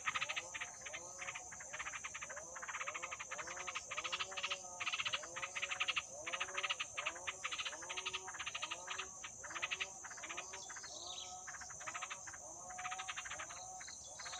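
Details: Two-day-old yellow-vented bulbul nestlings in the wild beg almost nonstop, a dense, buzzy stream of rapid rasping pulses with few pauses, set against a steady high-pitched insect drone.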